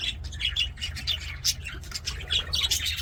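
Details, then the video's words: Aviary budgies singing during play, a brief, dense outpouring of bright chirps and squeaky warbles from overlapping birds, with a low hum below. "BUDGIES SINGING PLAYING"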